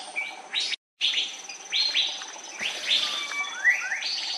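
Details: Andaman bulbul, endemic to the Andaman Islands, uttering bright rising chirps and short slurred notes in loose bursts, broken by a brief dropout, with a constant background hum and hiss.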